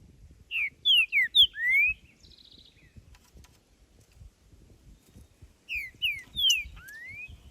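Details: Creamy-bellied thrush singing in nature: two bursts of clear whistled phrases, each a few short falling notes ending in a longer rising slur, separated by a pause with faint low rustling noise.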